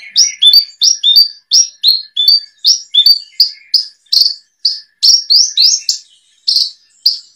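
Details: Branjangan tutor song, 2022 compilation: fast steady run of high rising and falling chirped notes, about three per second, some doubled, keeping an even rhythm throughout.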